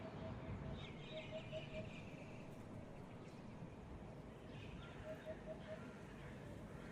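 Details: In Israel, a Eurasian Hoopoe gives soft, low, hollow 'oop-oop-oop' notes in two short runs over a steady low rumble, with faint higher chirps from other birds.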